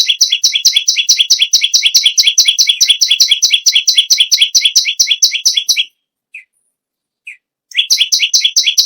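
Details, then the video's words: Bar-winged prinia singing very actively: a fast run of sharp, chirping double notes, about four to five each second, for six seconds. Then a near-silent pause with two soft single chips, and the rapid series starts again. "BURUNG PERENJAK BAWAH/LUMUT GACOR NGAMUK PARAH"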